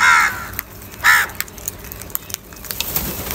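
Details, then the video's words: Two strong, rasping caws in quick succession from a crow in a fight over food, followed by quieter ambient ticks and rustles. "Angry kauwa ki awaaz | Crow bird Fight for Food"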